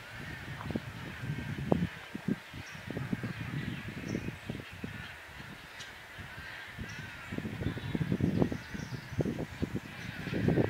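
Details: Wood storks at their nests in a breeding colony at Harris Neck, Georgia, in May 2017, giving a steady din of harsh, nasal honks and croaks from many birds at once, over a constant background hiss.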